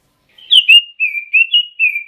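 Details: Red-billed leiothrix, an imported cage bird kept for song, giving a short series of smooth, fluty whistled notes, gently rising and falling, with no pauses between them.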